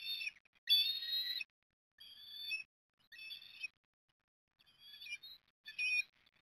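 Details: Eastern osprey chicks at feeding time on the nest at Port Lincoln, Australia, on 30 October 2021: a series of high, strained squealing calls in separate bursts under a second long, with a background otherwise silent.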